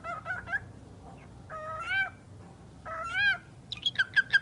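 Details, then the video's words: Pet talking bird producing speech-like vocal phrases: three bursts of warbled, voice-like syllables with wavering pitch, followed by a quick series of sharp, high clicking chirps. "Chucky the talking bird"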